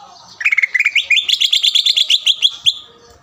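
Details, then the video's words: Lure song of a vigorous green leafbird aimed at a rival: a quick rising series of clipped notes that climbs in steps and holds high, about twenty notes in under three seconds. "PANCINGAN CUCAK IJO GACOR AGAR CUCAK IJO LAWAN SEKETIKA LANGSUNG BUNYI DAN EMOSI"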